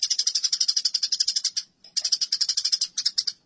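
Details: Eurasian tree sparrows fighting, masteran recording: harsh, rasping chirps fired about four per second in two fast runs split by a short pause.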